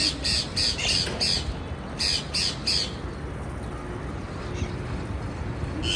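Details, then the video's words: Loud, grating parakeet squawks in two quick bursts of several notes each, followed by quieter background and a final rough call at the end. "Parkeet Birds Sound"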